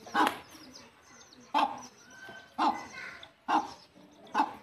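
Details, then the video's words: Mother hen leading her chicks back to the nest to roost, giving five loud, harsh clucking calls about once every second, with faint high peeping from the chicks underneath. "The mother hen takes her chicks back to the nest to roost"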